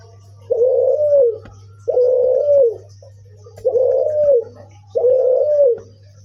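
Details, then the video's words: Strange-sounding coos from a puter cuhu, or Barbary dove: four long, rough, even-pitched notes that fall off at the end, repeated about every 1.4 seconds over a steady low hum. "suara aneh puter cuhu"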